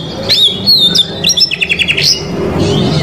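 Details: Oriental magpie-robin song used to provoke a rival male: a pure whistled slur followed by a fast run of sharp, clipped notes, then a brief softer phrase over a faint low hum.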